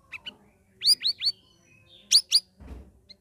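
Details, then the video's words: Caged sooty-headed bulbul after three weeks of ombyokan training, singing ngeriwik ngeplong: three quick rising whistles in a row, a pause, then two more sharp upslurs, followed by a soft rustle. "CUCAK RAWIS NGERIWIK NGEPLONG"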